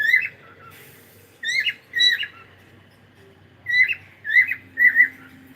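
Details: Cockatiel in the morning calling with loud, slightly harsh whistled notes, mostly in pairs and triplets with short gaps, a faint low hum behind.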